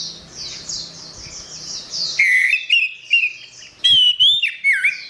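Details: Gacor orange-headed thrush singing a masteran tutor song for songbirds. A quiet rapid high twittering gives way to loud clear whistles, slurred notes and short sharp phrases, some dropping in pitch at the end.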